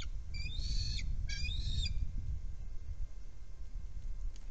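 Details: Bald eagles at the nest, one bringing in prey, recorded by a nest camera: two short bursts of high, piping, chattering notes, each under a second, over a constant low wind rumble.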